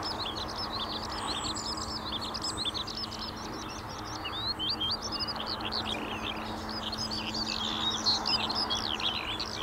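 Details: Cheerful skylark song, a long, fast, high-pitched warble of chirps, trills and rising whistles that grows slightly louder toward the end, with a soft background drone of traffic.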